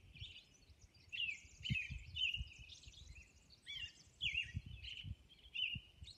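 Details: Robin dawn song from Orcas Island: a steady run of whistled, warbling phrases, some slurring downward, in close clusters with brief gaps, over faint low background rumble.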